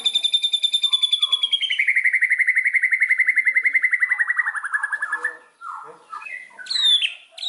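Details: White-rumped shama from Indonesia in full song, played as a lure recording: a long, rapid rattling trill that slides from high to middle pitch over about five seconds, followed by scattered short whistles and chips.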